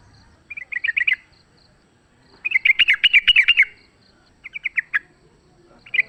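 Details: Fighting sooty-headed bulbul recorded in the wild: repeated bursts of quick, chattering, bubbly notes, with one longer rippling phrase at the centre.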